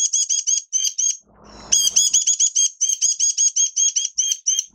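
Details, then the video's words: Oriental white-eye song from a bird in minor moult, 3 June 2022: rapid, evenly spaced high chips in quick bursts, then a longer unbroken sharp trill after a short rustling pause. "Mata Puteh Kitaro V1 buka sing"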